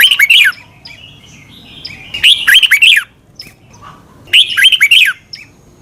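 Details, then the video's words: Thai Red-whiskered bulbul doubled song, meant to teach caged birds: three matching phrases about every two seconds, each three or four arching whistled notes, with quiet chips between phrases. "นกกรงหัวจุก. นก - 30 นาทีทุกเช้า เพื่อให้นกเรียนรู้ที่จะพูดได้อย่างรวดเร็วและหนักแน่น"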